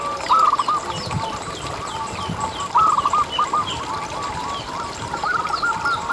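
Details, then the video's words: Zebra dove song from a lively local bird, used as a lure for zebra doves: two loud rolling coo phrases about two and a half seconds apart over continuous soft cooing, with small high chirps from other birds. "Lokal Gacor Suara Paling ISTIMEWAcUntuk Pancingan Burung Perkutut Agar BunyiTerus"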